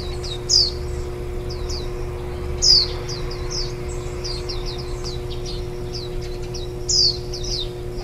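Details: Recorded 23 July 2018 beside a Warbling white-eye nest where nestlings are fed on the eve of fledging: continuous thin high twittering, with three louder falling chirps at irregular intervals, and a steady mechanical hum.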